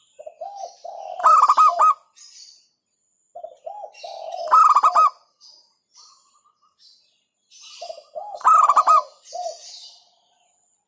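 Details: Local zebra dove (perkutut lokal) singing in hentakan style, said to provoke rivals: soft low cooing notes lead into loud bursts of fast stuttered coos, three phrases about three and a half seconds apart.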